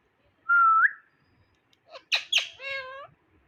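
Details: Indian ringneck parrot at home: a steady whistled note that lifts at the end, then after a pause two squeaky syllables and a long harmonic, voice-like tone.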